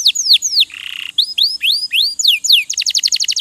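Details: Canary training song for cage birds: loud descending whistled slurs, a brief low buzz, more rising and falling swoops, closing with a rapid staccato trill.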